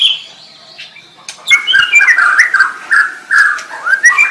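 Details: After a soft opening whistle, a white-rumped shama breaks into a quick string of warbled, slurred notes and clear whistles, rising at the end.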